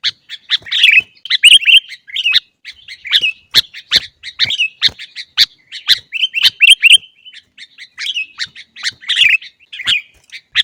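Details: Caged-bird training song of a sooty-headed bulbul, noisy and busy: rapid twittering phrases mixed with harsh squawky notes and crisp clicks, delivered in quick irregular bursts.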